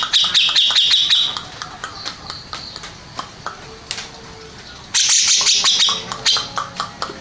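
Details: Grey-cheeked bulbul, first-place contest winner, begins with a rapid chattering trill. Scattered soft clicks follow during a quieter stretch, then the bird returns with an intense buzzy outburst and further chips.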